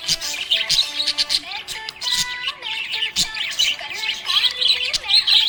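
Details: Lively budgie chirping, loud pulsing bursts of shrill twitters roughly every half second, accompanied by a melodic song in the background.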